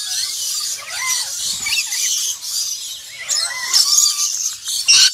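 Black-winged lory giving harsh, squealing screeches with short upward and downward slurred notes, over a constant high, hissing wash of background noise.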